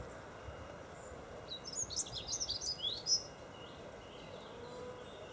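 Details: Dunnock song recorded at Golden Hill Country Park, Freshwater, 21 February 2012: a single rapid, high-pitched warbling phrase of tumbling squeaky notes lasting about one and a half seconds, set against quiet outdoor hiss.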